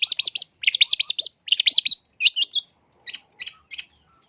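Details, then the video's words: Lure song of a long-tailed shrike: rapid looping whistled chirps in clusters of three or four, then thinner, scratchy notes spaced about every third of a second. "Pancingan Burung Cendet Gacor Dor"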